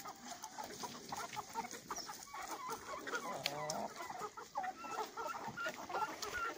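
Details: A flock of young chickens hatched in April 2020, of breeds including Yurlov Crower, Orlov Calico and Livny Calico, clucks steadily, with short, overlapping calls from many birds at once.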